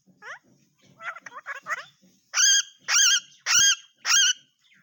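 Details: Parrot speaking Urdu/Hindi, first a run of quick chattered, speech-like syllables, then four loud, ringing, harmonic squawks spaced about half a second apart.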